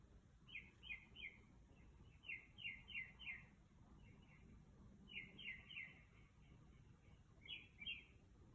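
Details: Bird vocalizing excitedly outside a house in the middle of the night, about 2 am. Short clusters of fast, high chirped notes come three at a time in repeated bursts, with brief gaps between groups and a low steady hum.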